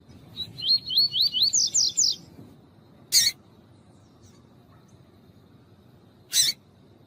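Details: Double-collared seedeater singing the tuí-tuí style, with a female calling, used to warm up males for song tournaments: a quick run of rising whistled slurs becoming sharper, higher notes, followed by two separate short harsh bursts.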